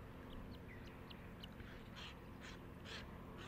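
White-cheeked pintail giving short, thin, high notes and a few harsh, raspy quacks about once a second, over a steady low hum.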